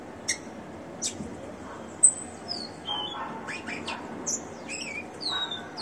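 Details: Rufous-collared sparrow in captivity, ringed, singing: high whistled notes and descending slurs mixed with chirps and brief broadband clicks over a low, steady noise floor.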